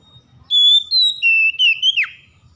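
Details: Oriental magpie-robin, described as stressed and reluctant to sing until provoked, bursting into song: one phrase of clear, pure whistled notes stepping downward in pitch, ending with a sharp falling sweep, over a quiet background.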